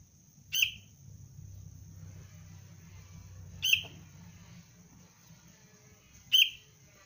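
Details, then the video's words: Sooty-headed bulbul chick undergoing basic training for use as a lure: three crisp, short chirps separated by about three seconds, against a continuous high whine and muffled low background noise. "Anak kutilang pelatihan dasar untuk pikat Cengkram"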